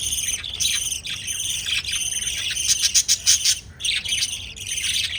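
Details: Continuous shrill chatter from pet lovebirds during chick feeding, rapid buzzy chirps layered densely with brief stutters and a short lull near the end.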